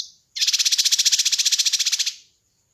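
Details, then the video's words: High, rapid trill of a kinoi bird in a master recording for training and luring birds, evenly pulsed and lasting under two seconds, with short faint notes before and after. "Masteran Dan Pancingan Burung Kinoi"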